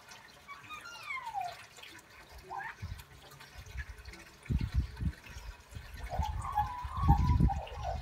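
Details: A pet Australian magpie mimics the neighing of horses from a nearby paddock with descending, wavering, whinny-like notes.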